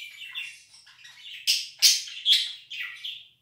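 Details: Budgerigar 'laugh': soft warbling notes building into four loud, harsh, scratchy squawks about half a second apart, fading out at the end.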